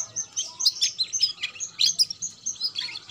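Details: Young canary about two months old, used to prompt other birds to sing, gives a steady stream of high twittering: short chirps and quick slurred notes about every quarter second, with no pauses.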